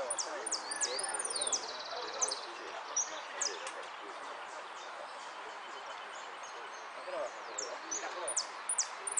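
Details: In the 'Amarillo sin cierre' class of a Monte Grande song competition held 15 November 2015, a hooded siskin sings bursts of sharp, high slurred notes and buzzy rattles, with pauses between them, against background human conversation.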